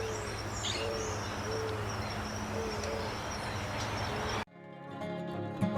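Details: Eared Dove in central Argentina giving soft, low, hollow coos repeated roughly once a second over a steady hum, with music taking over in the last second.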